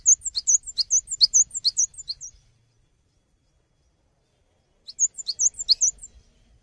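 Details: Cinereous tit, called gelatik batu, recorded for tutoring songbirds: a lively two-second run of high, squeaky chirps, silence for over two seconds, then a shorter burst of the same bright notes.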